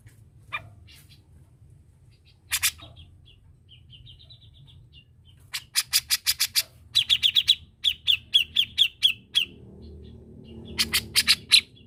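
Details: Grey-cheeked bulbul in lively song. Isolated harsh notes and soft, wavering whistles build into bursts of rapid, clipped chatter repeated several times. A low hum runs faintly underneath.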